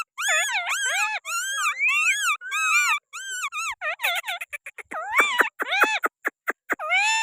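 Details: Perched on a hand, a Pakistani green parrot strings together rolling, wavy whistles in a steady stream, then breaks into quick clipped chirps and short arched squawks toward the end.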